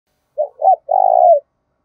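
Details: Spotted dove lure bird giving a rapid luring call to draw wild doves. Two short low hooting notes are followed by one longer, slightly trilled coo that falls at the end, in a quiet setting.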